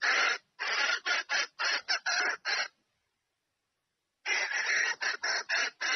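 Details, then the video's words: Hen red junglefowl calling a rooster to come and mate, giving rapid harsh clucking notes in a burst of about eight, a pause of over a second, then another quick series of rasping cackles. "Tiếng GÀ RỪNG MÁI Gọi Trống Chạy Về Đạp Mái Tốc Độ / Âm Thanh Gà Rừng Mái Kêu"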